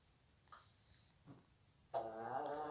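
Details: A naughty, vocal African grey parrot swearing, a loud, harsh burst of speech-like sound near the end after two faint short noises in a quiet room.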